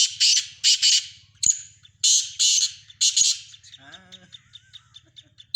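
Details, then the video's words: Black francolins of the Sindhi type, in a mix of several birds' voices: loud harsh grating notes in a quick run of five or six, then softer clicking notes, with a low steady hum and a brief voice-like sound. "مکس کالے تیتروں کی مکس آوازیں سندھی تیتر"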